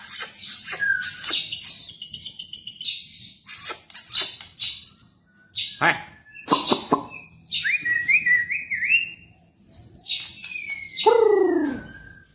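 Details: White-rumped shama, song compiled for training captive birds: separated phrases of sharp clicks, clear whistles and zigzag slurred notes, closing with a rich downward-curving call and a falling whistle.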